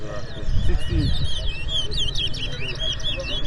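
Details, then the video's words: Chestnut-bellied seed finch, locally towa towa, competing in a 2024 fundraiser whistling match in Port Mourant, Guyana: dense high twittering and looping whistled phrases, steady throughout, with a murmur of voices below. "TOWA TOWA BIRD WHISTLING COMPETITION"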